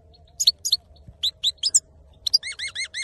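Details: Male saffron finch singing a lively run of short chirps and clipped notes, ending in a rapid series of rising-falling whistled syllables.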